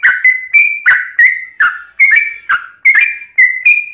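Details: Sooty-headed bulbul in a long rapid 'ropel' song used as a lure to make other bulbuls sing: quick run of bright whistled notes, each opening with a sharp click, alternating slightly higher and lower, about four notes per second.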